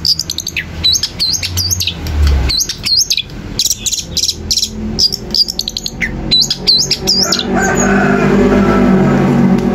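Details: Long-tailed shrike song used to provoke rival shrikes: rapid bursts of looping, whistled high notes in dense chattering phrases, repeated roughly every second, ending in softer noise with a low hum.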